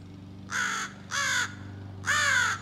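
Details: Three drawn-out, grating caws, evenly spaced, as a juvenile American crow practises scolding and territorial calls; low mechanical hum in the background.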